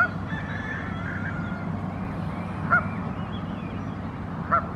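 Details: Canada goose parent with young goslings on a lake shore, calling the chicks to gather under it as a crow passes: three short, abrupt honks spaced about two seconds apart over a steady low rumble.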